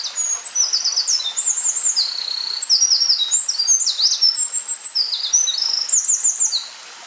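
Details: Eurasian wren (Troglodytes troglodytes), filmed 19 May 2012, pouring out a long, loud, high-pitched song of rapid trills and sharp twittering notes for nearly seven seconds without pause.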